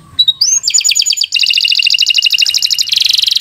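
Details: Canary song used as a model for young birds: a rising whistle, then a long, fast, even rattling trill that shifts into a denser buzzing trill near the end.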